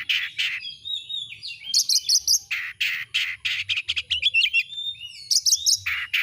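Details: Oriental magpie-robin song used as a tutor recording to excite kept birds into singing: loud harsh buzzy bursts alternating with clear whistled phrases and fast high chips, delivered in quick, varied runs with brief pauses.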